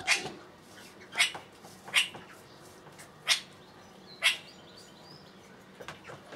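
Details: Male Eurasian kestrel, recorded 15 July 2016, giving five sharp, high, piercing call notes about a second apart, followed by a few fainter notes at the end.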